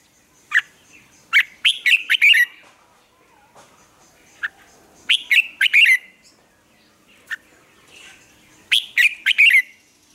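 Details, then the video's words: Red-whiskered bulbul morning song used to train captive birds; three phrases of rapid bright chirps, each opening with a single sharp note, spaced about four seconds apart with soft faint calls between. "Luyện chào mào hót sáng, hót hay"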